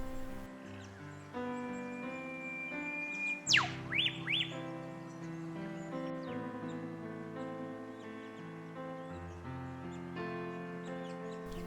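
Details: A male Eastern Whipbird gives one long thin whistle ending in a loud, sharp whip-crack, then a few quick notes; the female does not answer while foraging under paperbark. Soft music plays throughout.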